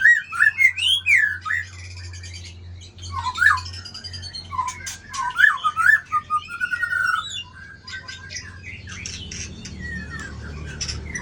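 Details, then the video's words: White-rumped shama with a 24 tail matched against another bird in a singing contest: rapid, varied whistled phrases with twisting slurs and sharp high accents, dense at first and then sparser, over a steady low hum. "Murai Badheuk Ekor 24"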